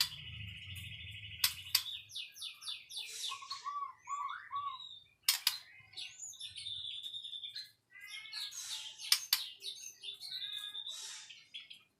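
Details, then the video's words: White-rumped shama singing a varied medley of loud sharp notes, rapid trills, buzzy phrases and clear whistles, with short pauses between bursts. "Kicau Murai Batu"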